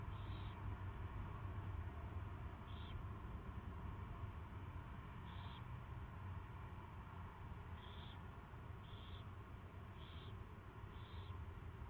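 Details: Owl at its first feeding, 24 February 2016, 2:15 PM: seven short scratchy hisses at uneven intervals, coming faster toward the end, over a steady low drone.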